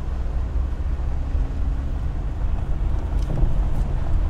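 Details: Heavy low rumble of a vehicle and wind during a birding field trip at Sax-Zim Bog, with no bird calls standing out.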